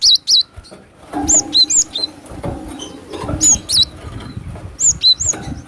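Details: Wild cinereous tit giving a lure call: thin high whistles, each a quick down-up slur, in short clusters of two or three notes, with steady crackle and faint low hum behind.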